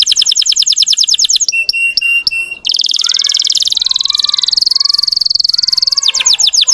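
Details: A Russian canary's song of fast, high trills and rolls, broken by a run of sharp clicking notes and a long buzzy whistled passage, all very loud and bright; it is used to stir up young birds.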